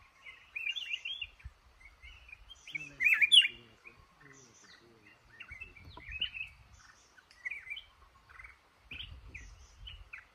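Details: Trapped male red-whiskered bulbul in a cashew orchard giving rapid warbling chatter of slurred whistled notes in quick succession, with one loud emphatic phrase and soft low background rumble.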